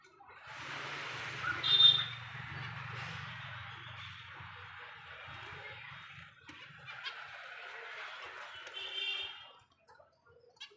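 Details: Budgerigar chicks being hand-fed give a continuous harsh, raspy begging chatter for about nine seconds, with a low hum underneath for the first half.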